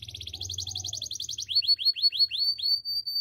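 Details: Training song of a canary: a rapid pulsed trill giving way to evenly spaced, rising-then-falling whistled notes repeated about three per second, with faint low hum early on.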